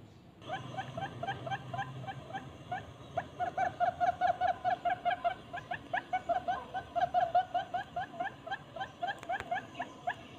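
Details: Lure call of the barred buttonquail, played to draw in both sexes: a rapid run of short, ringing, harmonic notes repeated about two and a half times per second, strongest in the middle, over soft background noise.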